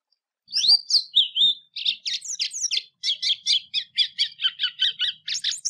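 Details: Song of the white-throated seedeater, known locally as golinha, played to teach young birds: opening swooping whistles, then a steady run of rapid, clipped high chirps that grows livelier toward the end.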